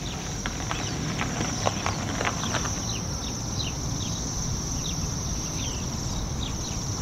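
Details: A flock of Bohemian waxwings perched high in a tree in Yekaterinburg in spring, digesting after feeding on berries, gives a steady, high, thin trilling with short repeated chirps over heavy traffic rumble and clopping footsteps near the start.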